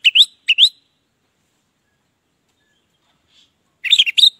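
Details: Orange-headed thrush in the ngeplong song style, used as a lure for silent birds: two short upslurred whistled double notes, a long silence, then a quick burst of jumbled whistles.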